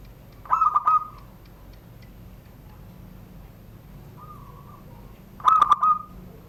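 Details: Zebra dove, a privately kept bird from Banten, Indonesia, singing the classic 'surung gdor' cooing style beneath a doorway: short rolling trilled coos near one pitch, two loud bursts six seconds apart with a faint one between.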